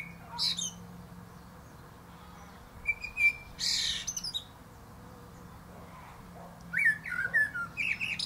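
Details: Common blackbird, male, in song at the top of a plum tree: separate phrases of whistled fluty notes mixed with thin, high, squeaky twitters, with quiet gaps between them and a steady low hum.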